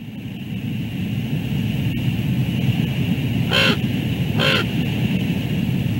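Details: Common raven on the Two Harbors bald eagle nest during a brief chase after one raven grabs its partner's food and flies off; two harsh, rasping croaks a second apart over loud, constant wind rumble.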